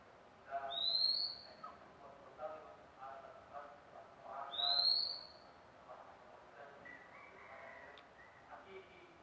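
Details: A single magpie-robin that has only just started singing after being acquired repeats a bright, slightly rising whistle twice, about four seconds apart, followed by quieter faint sounds and low ambient noise.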